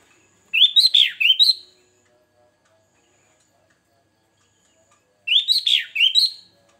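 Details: Sooty-headed bulbul singing a varied song used to lure birds. Two short bursts of bright, liquid, bubbling whistled notes, rising and falling, about four seconds apart, with silence between them.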